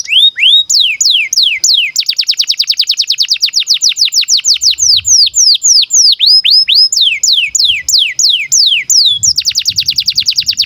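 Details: Caged canary in breeding condition singing a long, loud song used to train young canaries: rapid trills of repeated descending whistled notes, alternating with slower rising and falling sweeps, high-pitched and continuous throughout.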